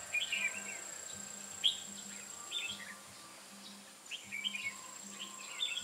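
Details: Red-whiskered bulbul singing as a decoy during bird trapping on 8 October 2017: short chirpy warbled phrases at the start and end with a quiet gap between, a low pulsing drone underneath.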